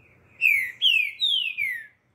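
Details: A captive green-winged saltator in Recife, put outside in the morning sun, sings what the owner was told is the "estou perdido" song: four loud, clear whistled phrases sliding downward in under two seconds, faint background rumble.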